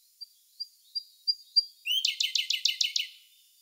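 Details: Song of a Siberian blue robin, May 2021, Sony A1 camera. Five soft, high introductory notes come a third of a second apart, then a lower note leads into a loud, rapid rattling trill of about seven pulses.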